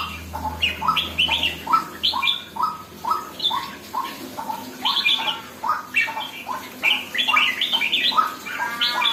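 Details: Red-whiskered bulbul just becoming lively, delivering a steady run of quick rising whistles about once a second with sharper high chirps and brief trills between them; low hum early on.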